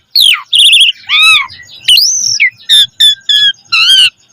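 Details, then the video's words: Asian pied starling singing a varied gacor sequence for training caged birds: wavering nasal whistles, a long arched note, then short repeated harsh chirps. "Suara Jalak Suren Gacor Full Isian Mewah Auto Bongkar Isian Pancingan Burung Jalak Agar Isian Bagus"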